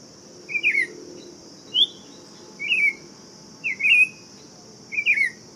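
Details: Buff-throated saltator (tempera-viola) singing: five short, warbled whistled phrases about a second apart, each slurring up and down. A steady high insect-like hiss drones beneath.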